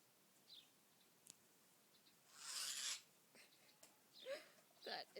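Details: A bird in its yard in summer, defending it from a Bengal cat, gives a harsh, rasping burst followed by short, sharp chirps, part of a yearly standoff.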